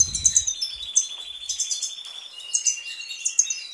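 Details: European goldfinch singing a bright, high twittering song of rapid tinkling notes and a sustained buzzy trill running throughout.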